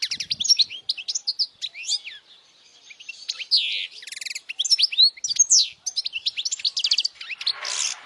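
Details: Energetic European goldfinch song intended for young birds to memorise: tumbling, twittering phrases of bright chirps and fast trills with scratchy buzzes, ending in a soft rushing noise.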